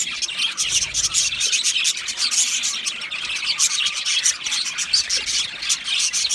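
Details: Lively group of Australian budgies producing a nonstop wash of high, buzzy chirps and short warbling notes, many birds calling over one another.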